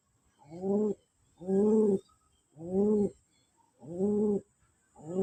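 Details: Pigeon calling as a display of love: deep, mellow, harmonic coos, each slightly rising then falling, repeated steadily about once a second in a rhythmic series, with a faint high whine in the background.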